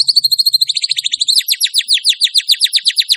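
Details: White-rumped shama, a champion songster running through its repertoire: a very fast, regular chatter of high notes that slows into a series of loud, sweeping downslurred whistles, about six per second, with a clean, quiet background.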